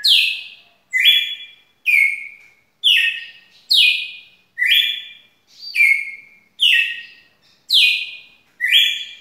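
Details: Red-cowled cardinal in long song, ten evenly spaced phrases, each a quick high slur falling onto a held whistled note, about one per second, quiet surroundings.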